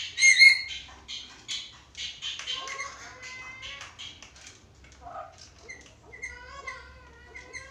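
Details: Black-capped lory, a talking parrot used as a master recording, opens with rasping chatter, then moves into gliding whistled notes and rising and falling tones, some short nasal yelps between.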